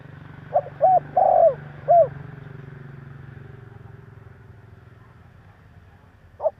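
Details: Provoking call of a male spotted dove: one phrase of short, short, long and short hollow coos, then a low hum of background noise and a single note at the end.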